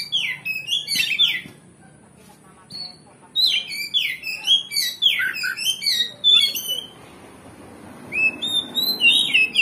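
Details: Oriental magpie-robin (kacer) pouring out a provoking song to make another kacer respond and fight; bright high swooping whistles and chirps in clustered bursts, with quiet gaps near two and eight seconds.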